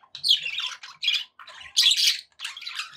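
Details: Pet budgerigars chattering happily indoors: bursts of scratchy, buzzy warbling and squawks broken by short silences, with quick clicks and squeaky notes in between.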